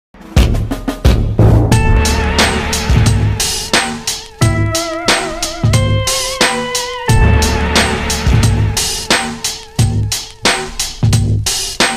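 Band music with guitar, bass and drum hits throughout, and no animal sounds.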